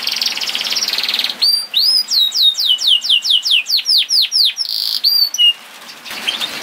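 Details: Canary song used to prompt other canaries to sing: a series of high repeated downward-curving whistled notes, about two or three per second, with trilled passages before and after and short gaps.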